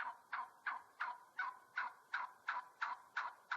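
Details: Turkey giving a fast run of short, clipped notes, about three per second and evenly spaced, steady in pitch throughout.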